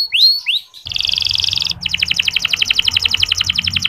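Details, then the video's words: Canary song, soft chirping used to stimulate less eager male canaries to sing: two rising whistled slurs, then a fast buzzy trill, then rapid repeated chirps about four per second. "Suara Kenari Ngeriwik Halus"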